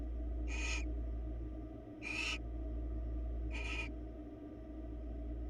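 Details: Three hoarse, hissing screeches from barn owls on a Florida webcam, spaced about one and a half seconds apart, with a persistent low hum underneath.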